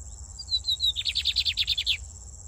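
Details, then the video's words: Song of a brown lined seedeater, heard in Brazil: soft high notes sliding downward, then a fast run of around ten buzzy pulsing notes, with a constant high whine behind. "BIGODINHO PARDINHO CANTANDO MUITO!"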